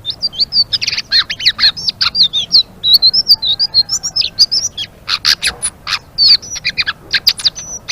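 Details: Loud, vigorous ngeriwik song of a blue-winged leafbird: high, sharp, rapidly repeated chirps and slurred squeaks, delivered in a near-continuous chatter.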